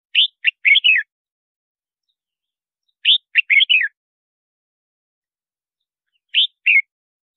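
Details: Red-whiskered bulbul singing for luring wild birds and voice training: short warbled phrases of four to five rapid notes, repeated about every three seconds, the last phrase shorter, with no background noise.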